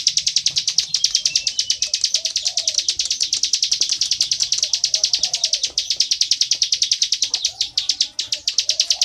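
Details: Plain prinia in full 'ngebren' song, an unbroken run of rapid, dry, high-pitched buzzy notes, roughly three per second or faster, continuing steadily with faint dove cooing underneath.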